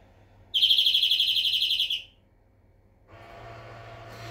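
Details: European greenfinch delivers a quick, buzzy rolling trill of even repeated notes lasting about one and a half seconds, followed by silence and then a low, steady background noise.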